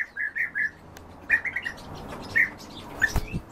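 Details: European bee-eaters during feeding give short, rolling, liquid notes, first three quick calls together, then a small cluster, then single calls spaced about a second apart, with a brief flapping or thumping noise near the end.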